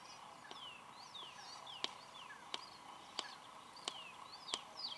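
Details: A male red-crested korhaan beside the road near Olifants Rest Camp, Kruger National Park, makes sharp, dry beak clicks about every 0.7 seconds, the courtship prelude to his whistled call, while other birds chirp and whistle.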